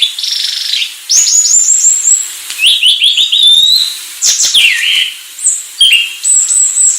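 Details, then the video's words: Varied song of a Sulawesi myna: a buzzy opening note, a run of rising whistles, downslurred chirps and thin high squeals, with clicks scattered through the seven seconds. "#kicauburung Anis Sulawesi"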